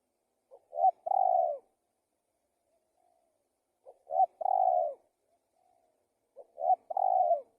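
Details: Spotted dove giving three cooing phrases, each a quick soft double note leading into a drawn-out mellow coo. The phrases come about every three seconds against silence.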